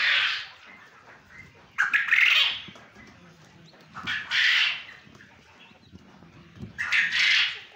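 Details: Male quail from a quail farm in Punjab, Pakistan, calling in four rough, noisy bursts, each under a second long, repeated at uneven intervals of roughly two seconds.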